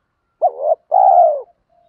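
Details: Low mellow coo of a spotted dove, used to excite newly caught birds during training. A short hooked note runs into a wavering tone, then comes a longer steady coo and a faint trailing hum.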